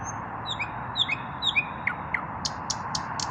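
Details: An unpaired male common nightingale in evening song: a long high whistle, descending slurred notes, then four sharp broadband clicks spaced evenly, with low background hum.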